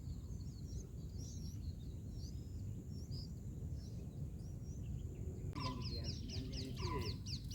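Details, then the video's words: Bulbul chicks in a nest during feeding on their fourth day: faint high chirps at first, then a sudden loud rapid series of sharp, downslurred squeaks repeated several times a second, over low steady noise. "Bulbul Baby Birds Feeding baby birds in Nest"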